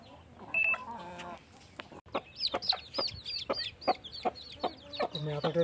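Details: Newly hatched chicks beside a blackish hen that hatched them: after a short pause, high downward-arched peeps repeat rapidly, roughly three per second, over softer low hen clucks.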